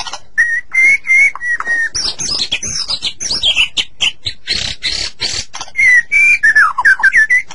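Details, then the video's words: White-rumped shama master song for prompting captive shamas to sing: steady level whistles open, then a dense burst of sharp high chirps and buzzy notes, ending in rising and falling slurred whistles. "Suara Burung Murai Batu Masteran Durasi Panjang"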